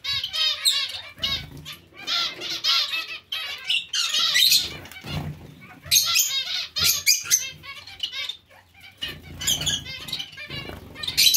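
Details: Busy zebra finch colony mixed with other finches, loud nasal trumpet-like calls in quick overlapping bursts from many birds, with occasional flutters and a faint hum.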